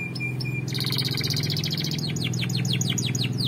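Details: Canary song meant for training other birds. Two short level whistles open into a dense chattering trill, then a run of fast falling whistled sweeps. A steady low hum runs underneath throughout.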